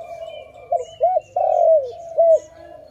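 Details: Loud dove call in a trapping setting: a short coo, an arched note, a long falling coo, then a final arched note over a low steady tone.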